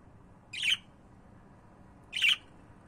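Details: Pet budgerigars indoors giving two short harsh squawks about one and a half seconds apart, broadband and bright, with quiet room background between them.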